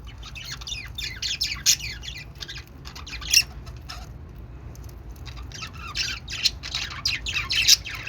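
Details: Budgerigar chatter in intermittent bursts of high scratchy chirps and squawks, with a quieter gap midway and livelier calling toward the end.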